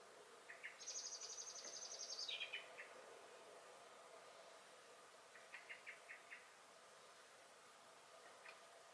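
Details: Garden common blackbird, 23 May 2021: a few sharp chacks lead into a strained, very high squeaky phrase ending in a falling chatter, then scattered short bursts of chack notes amid quiet hiss.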